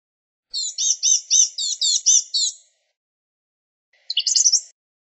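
A Blue-gray Gnatcatcher sings a thin, high, scratchy phrase of about six quick repeated notes, then a shorter jumbled burst after a pause.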